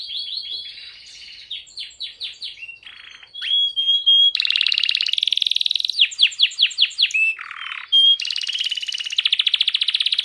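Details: Hand-held canary singing energetically: bright whistles, falling chirps, buzzy low trills and a rapid rattling roll, alternating section after section with barely a pause.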